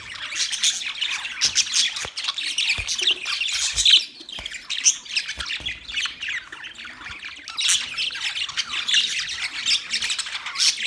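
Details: Long run of budgie chatter: dense high chirps, buzzy warbles and squawks from several birds, dipping briefly in the middle before swelling again.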